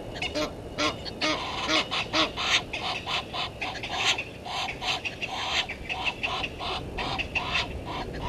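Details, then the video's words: Egyptian geese in a dispute with intruder geese at a waterhole on Djuma Game Reserve, South Africa; irregular bursts of hoarse honks and cackles, several birds calling over one another at moderate level. "Egyptian Geese having dispute with intruder Geese"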